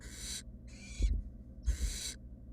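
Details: Loud, rough hissing snores from wild barn owl nestlings resting in a nest box, three long bursts with short gaps, plus soft low thumps of movement and a background hum.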